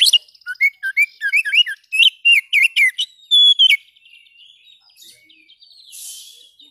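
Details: A kacer, the Oriental magpie-robin, sings brisk looping whistles and chips for almost four seconds, finishing on a sustained flat note; after that only faint rustling and a soft hiss remain.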